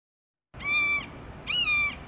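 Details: Immature Florida red-shouldered hawk (Buteo lineatus) just learning to hunt, near the Caloosahatchee River, southwest Florida, giving two loud, harsh, ringing kee-ah calls about a second apart, the second slurring downward at its start.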